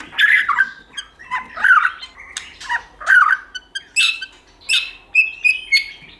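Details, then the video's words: White-rumped shama, a recording used to stimulate and train shamas to sing in many voices while flicking their tails: harsh, squawky bursts roughly every second, with brief clear whistles toward the end. "Kích Chòe lửa hót nhiều giọng"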